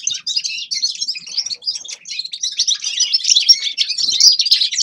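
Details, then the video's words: Rapid, high, tinkling twitter from a grey-crowned goldfinch, chirps and short buzzy trills running together without pause and growing louder toward the end. "Седоголовый щегол Carduelis caniceps певчая птица طائر الاغنية"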